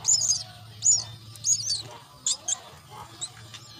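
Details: Myna young being fed at the nest, producing shrill grating calls in quick bursts, followed by sharper clipped notes and softer calls toward the end, over a low hum.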